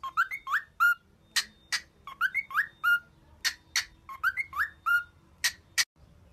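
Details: Singing cockatiel, a training song to cheer, giving a lively run of rising whistled slurs ending in a clear held note, alternating with sharp bright chips. The pattern repeats three times with a faint low hum beneath.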